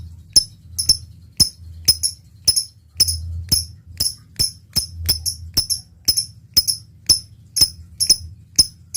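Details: Lovebird on a lure track for long chattering: steady sharp high ticks, often paired, about two per second for nine seconds over a continuous low hum.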